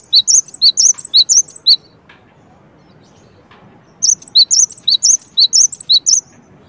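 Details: Cinereous tit delivering two bursts of high, sharp whistled notes in a repeating three-note pattern, separated by a two-second pause, over faint background hiss.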